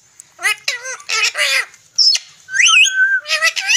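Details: Green pet parrot talking, giving short speech-like phrases with a nasal, harmonic tone, followed by a rising-falling whistle and squawky syllables, all close and clear.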